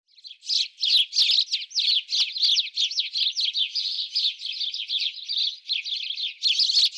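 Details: House sparrow sound as a dense, continuous chattering of rapid chirps and twittering notes, loud and busy throughout, with no pauses and no other sounds.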